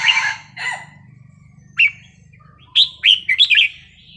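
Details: Red-whiskered bulbul wild-style song: two rough, noisy bursts open the recording, then a lone chirp and a fast series of clear, fluty notes rising and falling, over a constant low hum.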